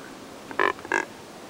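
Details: A group of Neotropic cormorants drying in the sun and jostling at Lake San Pablo near Otavalo, Ecuador, giving noisy vocalizations. Two quick rough, nasal grunts follow each other less than half a second apart.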